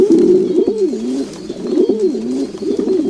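Domestic pigeons cooing: low, throaty rolling coos that swell and dip in pitch, overlapping from several birds in a steady murmur.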